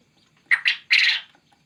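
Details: Male quail calling; a loud, harsh three-part burst, two short scratchy notes followed by a longer rasping note, against a quiet background.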